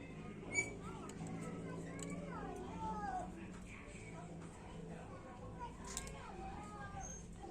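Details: Common hill myna mimicking Islamic greetings and their replies, and imitating coughing; a fairly quiet stretch of speech-like phrases with sliding, wavering tones, alongside human voices exchanging greetings.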